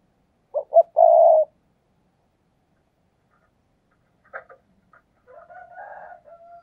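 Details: Spotted dove used as a perch decoy for luring doves, giving two quick notes and a long even coo, then several faint, scattered cooing sounds after a long silent gap.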